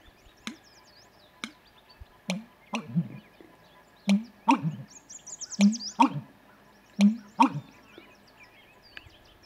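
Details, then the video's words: A male American Bittern in marsh or wetland gives its resonant song, a run of deep, hollow gulping notes likened to an old pump, with sharp clicks between; small birds twitter high in the background. "American Bittern Song"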